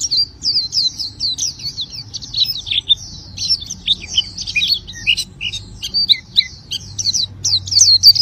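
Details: Oriental white-eye in vigorous song: a continuous, tumbling chatter of very high thin twitters and quick slurred notes, with no breaks, over a faint low hum.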